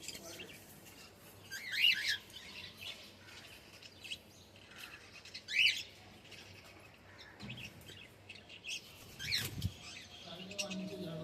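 Cockatiels give sharp, rising chirps at irregular intervals over a soft, busy chatter.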